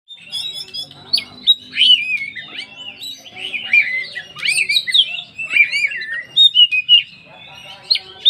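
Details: Oriental magpie-robin, a 'poci' style full song used as a lure to make other magpie-robins sing: rich run of whistled, slurred notes and rapid warbles, high and varied, with short rasping bits between phrases.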